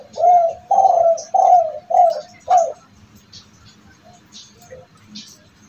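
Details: Kept spotted dove of a sought-after cooing type whose voice owners believe brings good fortune: five low, mellow coo notes in quick succession over three seconds, then near quiet with faint scattered background sounds.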